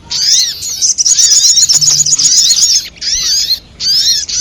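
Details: Lure call for trapping sogok ontong, a sunbird: high, thin, twittering song with a sustained trilled phrase, followed by two shorter bursts of slurred chirps.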